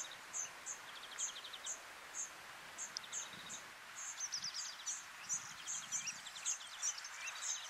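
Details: European serin singing at Quiberon, France, in April 2023: very high, thin notes repeated several times a second, mixed with fast jingling, buzzy trills over a steady background hiss.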